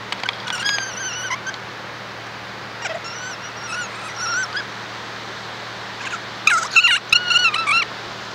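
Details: Kea, an alpine mountain parrot, gives loud wavering harmonic calls with a bent, warbling pitch, in bursts near the start, middle and end; a jumbled, faster run of calls closes the sequence over steady background hiss.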